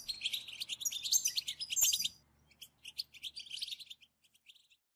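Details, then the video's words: Group bitbita of European goldfinches, used to stimulate goldfinch singing. An intense two-second burst of bright, rapid twittering gives way to softer, spaced chirps and a few faint notes at the end. A faint low hum underlies it. "أخرج حسونك من صمته واكتشف التغاريد المخفية لديه.. بتبتة خرافية وتحفيز رهيب"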